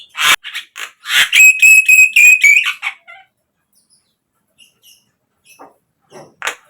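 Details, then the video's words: Lure song of a Javan myna for captive birds: harsh bursts, then a sustained whistled tone with stacked overtones, followed by near silence and a few faint chirps. "pancingan untuk naikanJALAK KEBO biar cepat GACOR"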